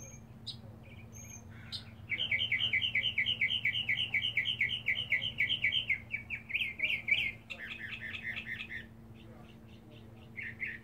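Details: Mockingbird singing and displaying in a back yard while searching for a mate: a long rapid series of repeated harsh double notes, then changing phrases, over low steady hum.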